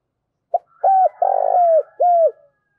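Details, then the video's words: Lure spotted dove cooing eagerly: a short opening note, two arched coos framing a long rolling coo that glides down, with a faint higher tone running underneath. "Chim Cu Mồi/ cu gáy thúc và gáy gọi cực sung, tiếng chim cu gáy kích bổi"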